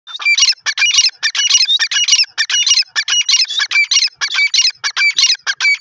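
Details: Grey francolin calling in a rapid run of loud, harsh, high squawking notes with sharp whistled accents, about a dozen bursts packed into six seconds and little background sound.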